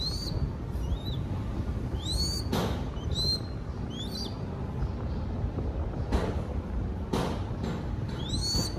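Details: Young crested goshawk being fed in Cambodia calls in short bursts of rising, shrill whistles, a tight cluster early, a pause with soft thuds, then a final call, over low steady noise.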